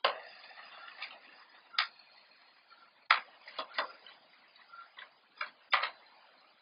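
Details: Irregular knocking and ticking sounds indoors against near silence, without any animal calls.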